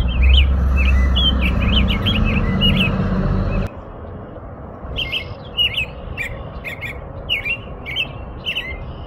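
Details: American robin song: quick, lively series of whistled phrases; loud low rumble fills the first few seconds, then drops away, leaving clearer phrases with high squeaky notes.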